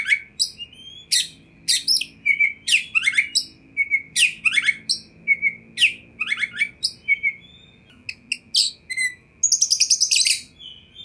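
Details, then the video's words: Energetic Oriental magpie-robin song to stir a reply from other magpie-robins: repeated downsweeping whistles and sharp chips, a short pause, then a rapid high rattling burst, with faint hum behind. "100 % Kacer Anda Pasti Respon Tanpa Nanti-Nanti !!!"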